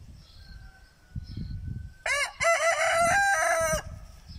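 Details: A single crow from a muscular Lohmann Brown rooster, starting with a sharp rising burst and then stretched into a strong, even, ringing cry of nearly two seconds, preceded by a thin, faint whistle and low background rumble.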